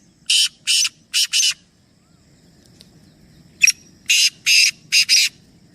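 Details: Two full phrases from three black francolins: each has four rough, hissing, buzzy notes grouped two and two, and the second opens with a thin click. A quiet gap separates them over low background hum.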